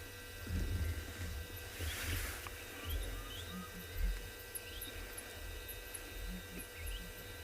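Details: A Southern Ground Hornbill perched on a termite mound at sunset, 3 November, Tswalu Kalahari Reserve, South Africa, gives deep, muffled booming notes pulsing low and irregularly, under high chirps and whistles from small birds and a steady hum.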